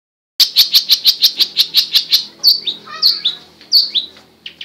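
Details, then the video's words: Long-tailed shrike singing: a fast run of about ten sharp, evenly spaced high chips, then a looser string of varied whistled and scratchy notes with brief pauses between them. "Burung cendet gila"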